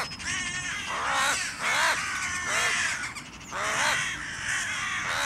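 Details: Crow resisting a goshawk's attack with its own claws: several long, hoarse, strained caws with a rasping quality, each drawn out and slightly falling, coming about every second.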